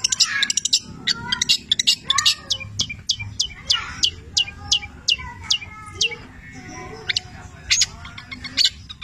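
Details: Long-tailed shrike, called cendet, singing steadily with labet and canary imitations: thin high ticks mixed with lower slurred whistles, sparser toward the end, over a faint background hum.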